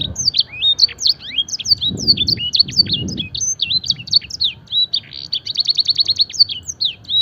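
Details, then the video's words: Canary with blackthroat and edel sanger song fill, used as training master: rapid whistled sweeps and slurs, then a brisk trill of repeated notes, with soft low rumbles in the background. "masteran suara burung kenari full isian mewah blackthroat dan sanger gacor"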